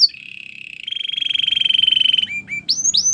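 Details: Belgian canary song for training, opening with a long sustained rolling trill that grows louder, then breaking into short separate notes and quick rising sweeps.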